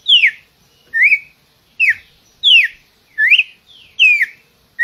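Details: Song of the red-cowled cardinal: bright whistled phrases that swoop down or slur upward, about six in five seconds, with a quiet background.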